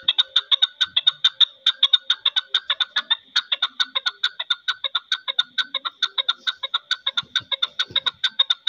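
A chukar partridge gives a long, steady run of sharp, clucking chuck notes, several each second, without pause.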